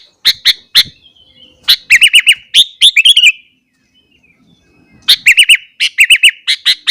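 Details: Sooty-headed bulbul, morning song aimed at provoking other bulbuls. Short groups of quick, bubbling chirps are broken by a two-second silence, then a fresh series of rapid, evenly spaced notes.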